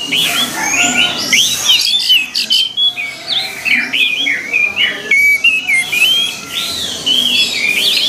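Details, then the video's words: Orange-headed thrush song on a recording for training kept birds: repeated bursts of rich, looping whistles and squeaky notes, broken by short gaps, lasting about eight seconds. "MELATIH SUARA ANIS MERAH AGAR CEPAT GACOR"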